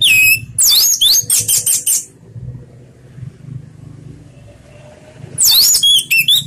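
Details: Orange-headed thrush in slow ngeplong song, played to lure other birds into singing: a fast run of loud whistled and sliding notes, a quiet gap with low background rumble, then another whistled burst.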